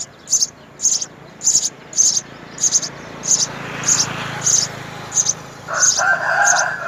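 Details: At a house sparrow nest where both parents feed three young, thin high-pitched begging notes come in steady short bursts roughly every half second, with a lower chirp near the end.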